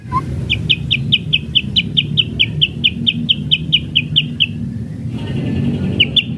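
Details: White-rumped shama in kretekan style, used to provoke rivals: a long, fast series of sharp, identical high chips, roughly two per second, then a short pause and more chips, with low traffic-like rumble behind.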